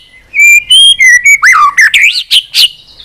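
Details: Caged white-rumped shama singing persistently in varied voices. Clear sustained whistles step up in pitch, followed by swooping, slurred notes and bright rising flourishes, all loud and well separated.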